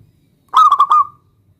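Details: Local zebra dove in full song, calling a rival to make it answer: one rich, low cooing phrase of four quick pulsed notes that ends in a drawn-out trailing coo, in a quiet setting.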